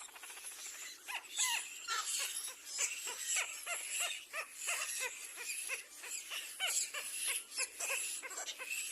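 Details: Little black cormorant going after its own young: a long uneven series of short arched squawks and clicks, several per second, beneath a persistent high hiss.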